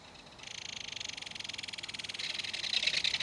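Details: Belted kingfisher feeding a fish to its baby at a nest in the side of a mud bank. Adult and chick call back and forth. A loud, fast, dry rattle runs continuously for about three seconds and grows stronger toward the end.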